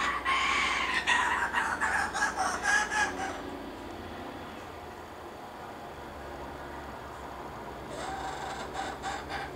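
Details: Wild laughing kookaburra at a feeding spot beside bush, where the parent brings food to its chicks; a rapid, regular cackling burst of harsh pulsed notes for about three seconds, then quiet, then a softer rising call near the end.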